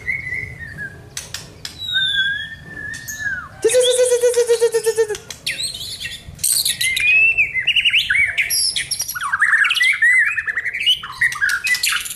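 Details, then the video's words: A White-rumped shama pours out a rich, varied song of clear whistles, rapid chattering trills and sharp harsh notes, shifting pitch constantly with little repetition. "Burung Murai Batu"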